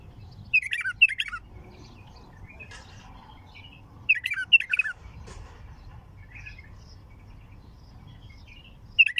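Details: Bulbul giving a raw, unprocessed heavy-throated song: short bursts of warbled, chattering notes, two main phrases about four seconds apart with softer notes between, over a low background hum.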